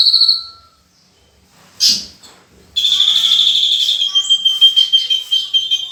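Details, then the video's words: A Horsfield's bush lark sings in full-repertoire style: a short high note and a quiet gap, then a sustained piercing whistle overlaid with trilled chirps that flicker higher. "Burung Branjangan Gacor full isian"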